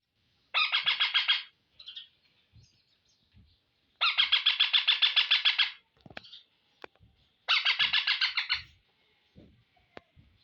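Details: Pet green ring-necked parakeet, known for saying "mummy", gives three loud harsh rasping bursts about a second long, each made of rapid pulses, with soft clicks and taps in between.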